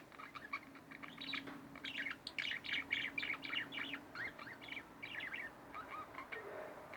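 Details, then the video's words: Pet budgerigars, a pair kept at home, chattering in a rapid run of short chirps and warbles, busiest in the middle seconds, with a faint steady low hum underneath. "Budgie Birds Extravaganza-Relax With My Budgies"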